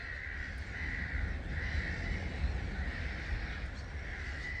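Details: Starlings, around 250,000 birds, leave a roost at Gibraltar Point NNR at 05:45 in March. The massed chatter pulses in broad repeated swells over a constant low rumble.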